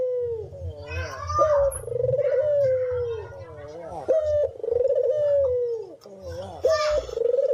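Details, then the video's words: Cinnamon-headed green pigeon singing steadily, with repeated wavering whistles sliding down, interspersed with looping, bending notes and occasional sharp knocks. "kicauan burung brenggolo"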